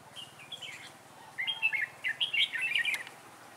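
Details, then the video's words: Trainee decoy red-whiskered bulbul used to lure wild birds into a trap, 11 December 2016: quick, bright warbled phrases of rising and falling notes, a brief opening phrase then a denser run of chirps. "Bẫy chào mào Mồi tập sự ra trận"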